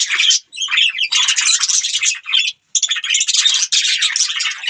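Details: Chirping budgies in a bright, rasping stream of rapid twitters, interrupted by two short silences, the second just before the three-second mark.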